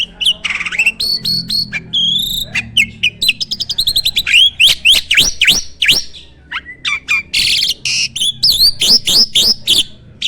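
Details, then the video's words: Starling kept on a farm, singing loudly and full of fill-in phrases: long fast series of slurred whistles and clipped chirps, some rising, some falling, with scratchy bursts in between. "Burung jalak gacor full isian!"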